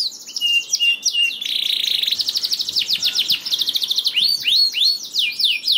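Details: Canary singing, used as a lure to get lazy, silent canaries to sing: a continuous high warbling song of rapid repeated trills, downward-sweeping notes and buzzy rolls, shifting phrases every second or so.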